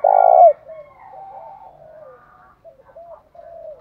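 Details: A spotted dove lure call, mixing male and female voices to provoke fighting, opens with one loud, long, rough coo. Weaker calls from other birds fade in and out afterward.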